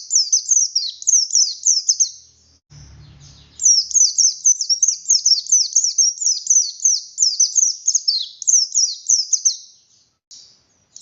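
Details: Buxtoni oriental white-eye, kept, singing persistently in 'ngalas nembak' style: long chains of thin, high, down-slurred whistles, interrupted once by a short low thud, then resuming quickly and rhythmically.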